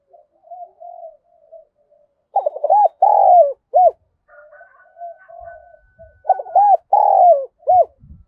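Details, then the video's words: Decoy spotted dove calling to wild doves with thúc and gáy coos: quiet murmuring notes lead into two loud groups of throaty, rolling cooing phrases, each group holding three or four notes. "Chim Cu Mồi Thúc Và Gáy Gọi Bổi"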